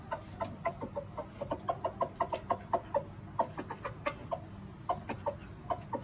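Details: A rooster showing behaviour that puzzles its owner, seeming to mirror what he is saying: short, throaty clucks in quick, uneven bursts of about four per second, with a low barnyard murmur underneath.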